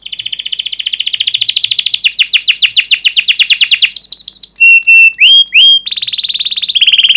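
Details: Canary singing sharp 'cuit cuit' phrases with long rolls: a steady rapid trill that speeds into falling chips, then loud rising whistles, closing with a buzzy fast roll.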